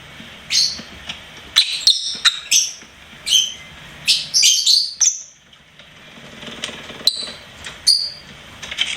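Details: Pet lovebird chirping: spaced, sharp high chips and short squeaky notes, some bunched in quick flurries, others singly after short silences.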